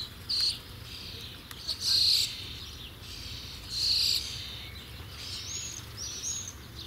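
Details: Young common starlings, nestlings soon to fledge: loud harsh buzzy bursts in short outbursts, about four across a quiet stretch, with fainter raspy calls between over a low background hum.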